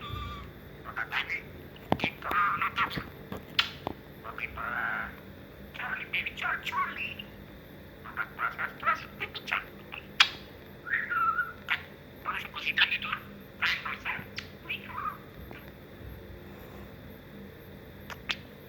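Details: Pet budgerigar named Charlie chatters in quick, scratchy bursts, mixing human-like words into its warbling.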